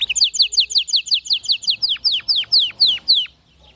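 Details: Canary song offered as a model for teaching canaries that do not sing or sing weakly: a steady string of high, bright notes, each sliding downward, repeated almost twice a second and slowing and lengthening toward the end.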